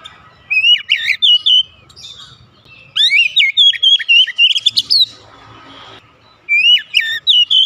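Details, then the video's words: Oriental magpie-robin, a kept bird, giving three bursts of bright whistled song with quick slurred notes and sharp high chips, separated by pauses with faint background rumble. "terapi Kacer malas bunyi sudah pasti langsung gacor"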